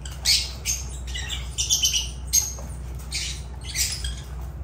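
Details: Agapornis lovebirds give shrill, scratchy squawks about every half second to second in an uneven rhythm, with a faint droning hum underneath.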